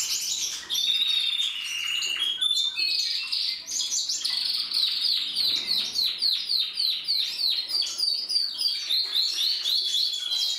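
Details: Several canaries singing at once: high rapid trills and repeated chirps about three per second, with whistled slides and overlapping phrases throughout.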